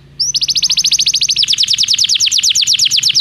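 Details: Canary song to encourage a canary to sing: after a short quiet start, a long even trill of rapid rolled notes repeated many times a second, with a low background hum.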